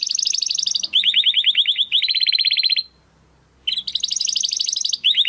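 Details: Domestic canary giving crystal-voice song used to tutor competition birds: high rapid trills switching between pitches, each phrase a second long, a brief silence, then trilling again.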